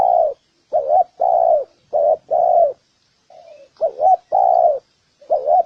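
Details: Spotted dove cooing to rouse males and females into fighting: pairs of hollow notes, a short two-part wavering note then a longer steady coo, repeated four times, with a soft quiet coo in the middle gap.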